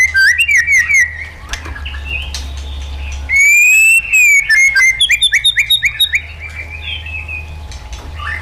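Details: Wild-style White-rumped shama song for training caged birds. Bright whistled notes repeat in fast, even runs, with a long rising whistle and strongly ringing phrases, and a low hum in the background.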